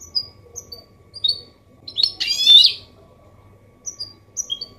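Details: Goldfinch hybrid (mule) singing a clean Malaga-copy style song, used to encourage males to sing and chicks to learn. Sparse short high chirps, then a brief buzzy, scratchy burst mid-phrase, then more scattered tweets.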